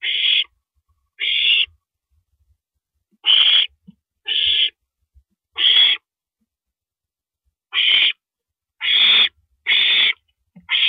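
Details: Owl recorded at 1:27 AM on April 9, 2012, as a rabbit is eaten; a long series of nine short, harsh hissing screeches at uneven intervals, with occasional soft low knocks.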